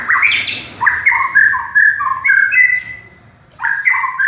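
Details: White-rumped shama, a loud, rough-voiced champion songster: a rich run of varied whistled and chattering notes, rising and falling between phrases, then a brief pause before a renewed whistled burst.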